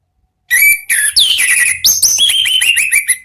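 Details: Orange-headed thrush (anis merah) lure recording for caged songbirds; a continuous loud, fluty whistled phrase with sliding notes, ending in a run of repeated downslurred whistles, faint low hum underneath.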